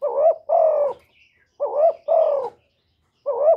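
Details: Cooing spotted dove uttering calling and urging phrases: a wavering two-part note, then a drawn-out level coo, repeated twice with a third phrase beginning, low and mellow in a quiet setting.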